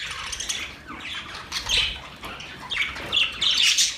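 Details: Singing budgerigars make a loud, continuous chattering warble of scratchy squawks and chirps, with bright bursts rising and falling and the loudest, harshest notes near the end.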